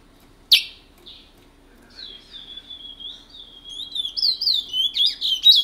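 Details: A picolette, the chestnut-bellied seed finch, performing the rare Matiti song style of French Guiana: a sharp note, a long thin whistle drawn out and gently falling, then a rising run of quick warbled phrases.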